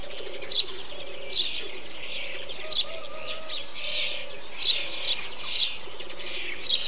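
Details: A Eurasian tree sparrow chirps among bee-eaters, with crisp notes spaced about a second apart and a quicker run near the end. Busy background chatter and a low, repeated hooting tone accompany it.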